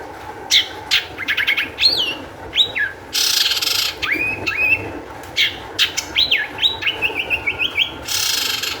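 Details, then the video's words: Long-tailed shrike in excited, high-energy song, used as a lure to make other shrikes sing: a varied jumble of sharp clicks, rapid ticking series, downslurred whistles and harsh rasping bursts over a steady background hiss. "cendet gacor EMOSI TINGGI cocok untuk PANCINGAN CENDET AGAR BUNYI"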